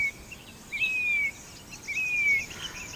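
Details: Grey-bellied cuckoo, also called Indian plaintive cuckoo, calling: two clear whistled notes, each rising then held level and sliding slightly down, about a second apart, over steady insect-like background hiss.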